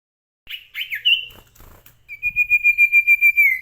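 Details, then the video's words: Sirtu bird in vigorous song: a few quick warbled whistles, a short pause, then a long steady high whistle with a fast pulsing tremolo that drops at the end. "burung sirtu gacor"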